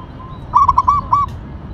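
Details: Local zebra dove (perkutut), Tumbak Cucukan type, in active song: a single short burst of about five clear, rounded coo notes in quick succession, each note slightly rising then falling, over faint low hum.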